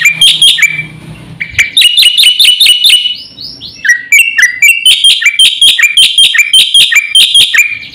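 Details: Black-winged starling singing busily with full fill-ins, a song for prompting and tutoring other birds: steady streams of bright repeated chirps with ringing overtones, broken by a few sliding whistled notes and lower squeaky phrases midway.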